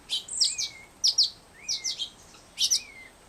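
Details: Black-headed Grosbeak fledgling in rehabilitation care begging for food. Three soft upslurred whistles, each followed by a brief level tail, come between crisp, high doubled chirps at irregular intervals.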